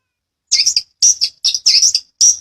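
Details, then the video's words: Long-tailed shrike, used as master audio for training songbirds in the gacoran rol rapat ngeplong style: dense bursts of harsh, buzzy chattering notes in quick groups of two or three. "Masteran burung CENDET_PETET gacoran ROL rapat NGEPLONG"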